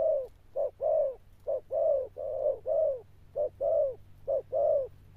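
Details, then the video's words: Spotted dove, a wild-caught bird, cooing in the Vietnamese 'Thúc Đồng Pha Sấm' style with 'Sấm Thổ' tone: low, hollow paired coos, a short note then a longer rounded one, repeated about once a second over a faint low hum. "Thúc Đồng Pha Sấm, Gù Âm Sấm Thổ"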